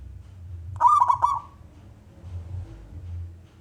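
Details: Single short rolling coo phrase from a male local zebra dove, sung to prompt other doves to sing, then quiet with a soft low hum.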